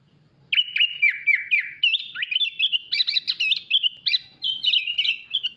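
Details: Rich 'isian mewah' song of the sooty-headed bulbul (kutilang), a masteran tutor recording: continuous bright warbled phrases, quick wavering whistled notes tumbling up and down without pause, clean and loud against a quiet background.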